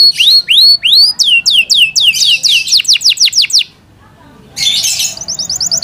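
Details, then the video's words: Caged Yorkshire canary delivering rising then falling whistled notes that speed into a rapid series, a brief pause, then a harsh burst followed by a quick high trill. "Yorkshire canary Nice sound"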